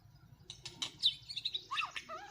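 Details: White-rumped shamas fighting during trapping in Northwest Vietnam: a short burst of harsh, scratchy notes and clicks, followed by a few clear, slurred whistles dropping and rising in pitch.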